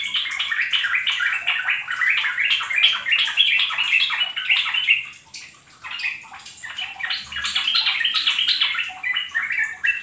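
Bulbul song in busy, bubbly chattering phrases, about three notes a second, mid-pitched and almost unbroken, with a faint hiss behind.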